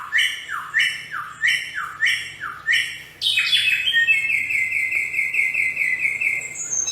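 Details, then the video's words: Bare-throated Whistler singing wild, endemic to Flores and Sumbawa: five loud whistles sweeping downward at even spacing, then an explosive note leading into a long, steady rapid trill. "Kicau burung samyong di alam"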